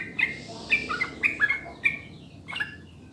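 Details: Sooty-headed bulbul song used as a lure so birds start singing: short, liquid, downslurred whistles come about every half second, with a brief pause before the last notes, over faint background hum.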